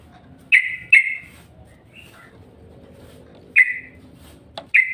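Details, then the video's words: Yellow-vented bulbul lure call meant to set other bulbuls chattering: a few loud, short chirps with bright overtones, spaced irregularly over a low background hum. "Bikin trucuk mudah NGROPEL Mendengar SUARA PANCINGAN TRUCUK INI"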